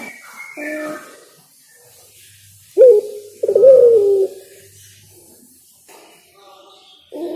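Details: Spotted dove, derkuku or tekukur, singing: two loud soft coos, a short rising note then a longer falling one, after faint higher bird chatter, with a further coo starting at the end.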